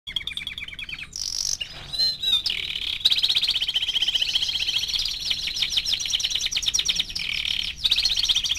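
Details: A 4-month-old male Belgian canary (Serinus canaria domestica) sings a continuous run of rapid high trills and chirps, with brief pauses and shifts between rolling phrases.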